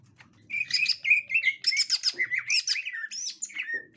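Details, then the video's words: Rapid chattering whistles and bright high chirps from a captive 'gotri' green leafbird encountering a young wild green leafbird, steady for about three seconds after a quiet start. "Tingkah Cucak Ijo Gotri Saat Di Temukan Cucak Ijo Muda Hutan"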